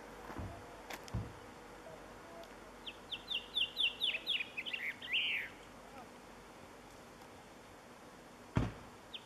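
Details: A blue chaffinch gives one song of roughly ten quick, downward-slurred notes that speed up slightly and end in a louder buzzy flourish. A few sharp clicks and knocks come before and after it.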